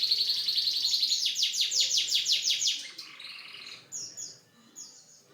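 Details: Canary singing a varied song: a bright trill at first, then a run of rapid repeated sweeping notes, followed by softer scattered high chirps and short whistled phrases.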